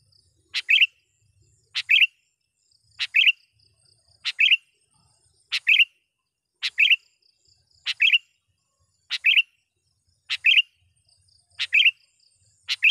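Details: Vocal sooty-headed bulbul used as a trapping lure and training model, calling out to rivals. A clipped, slurred two-part chirp recurs at a steady pace, about once every 1.2 seconds, with nothing else audible.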